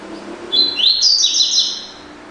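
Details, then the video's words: Double-collared seedeater singing the classic 'tui tui' song: bright, high, rising and sliding whistled notes about a second and a half long, over a faint low background hum. "COLEIRO DE GOLA TUI TUI CLÁSSICO"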